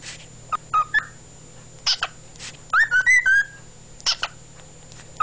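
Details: Pet cockatiel, a male, singing on February 16, 2011: short whistled notes, then a run of rising, looping whistles, with scattered sharp clicks between phrases and a constant low background hum.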